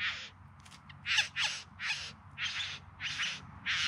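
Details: Bowerbird singing while dancing at its courtship display in the Yarra Valley outside Melbourne, September 2020: coarse crackling and cawing bursts, evenly spaced about every half second, over a low rumble.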